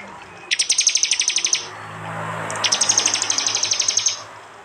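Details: High, fast buzzing trills from a prinia, two bursts of rapid chattering notes a second apart, phone-recorded in East Java, Indonesia, within a prinia and jali song mix for training cage birds.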